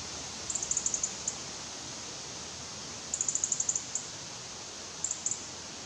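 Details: Young European robin waiting for its parents to bring food, uttering very high, thin ticking notes in quick runs of six to eight, separated by pauses of about two seconds, over a steady hiss.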